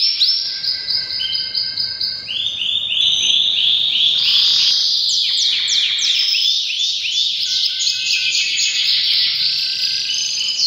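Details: Canary singing powerfully in breeding season: a long, varied performance of high rolling tours, bubbling down-slurred notes and rapid rattles, changing pattern every few seconds without pausing.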